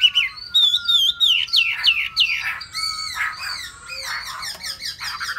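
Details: Hwamei delivers a loud, rich song of repeated slurred whistles and rapid descending notes, phrases running together with a varied, energetic flow.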